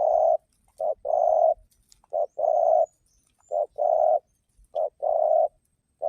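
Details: Spotted dove song played to lure other doves into calling: a short coo followed by a longer, hoarse drawn-out coo, the pair repeated about every one and a half seconds with clean silence between.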